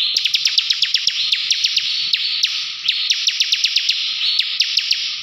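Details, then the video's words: Continuous ngebren song from a ciblek (bar-winged prinia): a dense high buzzing trill overlaid with rapid sharp clicks repeated several times per second, steady throughout. "CIBLEK NGEBREN GACOR"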